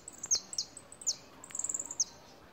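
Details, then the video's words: Goldfinch in moult, a trophy-winning bird, singing: thin, very high tweeted notes, a few sharp downward slurs, then a quick twittering run of high notes, with a faint background hiss. "Jilguero de Luisito cantando en replume"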